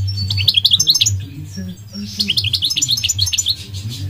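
A goldfinch sings two quick bursts of high, liquid twittering notes, about four a second, with a low indoor hum underneath.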